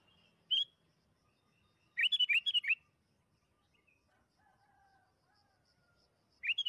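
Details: Sooty-headed bulbul song used as a lure to make other bulbuls sing quickly: a single short whistled note, then a bubbly run of five liquid rising-falling whistles, and a final burst after a long quiet gap.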